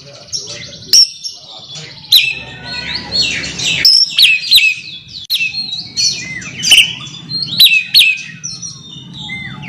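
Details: An Oriental magpie-robin calls a rival in a rich run of whistled notes, sharp high chips and sweeping slurs, delivered almost without pause over a faint low hum.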